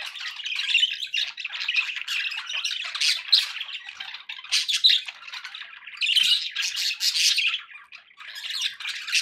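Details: Pet budgerigars in steady, noisy chatter: rough squawks and fast warbles overlapping, swelling in louder bursts every few seconds.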